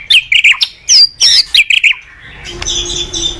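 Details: Lively white-rumped shama song, used to provoke other shamas into singing: loud, looping high whistles and chattered notes in quick bursts, fading into a faint thin note and a steady low hum.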